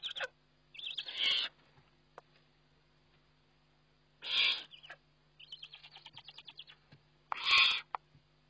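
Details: Eurasian eagle-owl during feeding, recorded by a webcam on 29 May 2011: loud harsh hissing bursts roughly every three seconds, mixed with thin, rapid chittering runs and a steady low hum.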